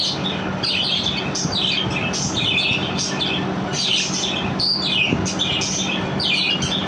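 Budgerigars chatter continuously with scratchy warbles, squeaks and short rasping squawks.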